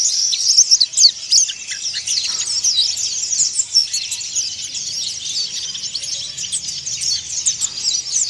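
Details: Oriental white-eye, a cage bird in Indonesia, delivering coarse ngeriwik chatter: rapid, irregular high chirps, about three per second, running continuously with loudness rising and falling, in a fairly quiet setting.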